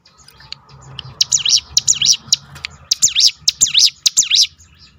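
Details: Ciblek gunung, the Crested honeyeater, in a rolled 'tembakan' series used to incite other birds' song: after quiet ticking, rapid high, wavering chirps repeat roughly three per second, each introduced by a click.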